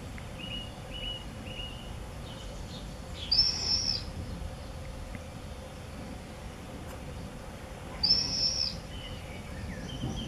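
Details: At the entrance holes of observation nest boxes for common swifts in a house in Beek-Ubbergen, Netherlands, 8 June 2014: two piercing buzzy screams, each under a second, roughly five seconds apart, with soft high twitters before the first.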